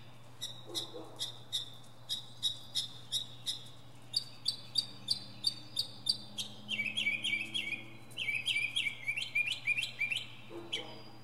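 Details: Northern mockingbird performing from the top of a pine tree: a fast series of sharp high clicking notes, then quick rising-falling repeated phrases, many different sounds in succession, with a low hum beneath.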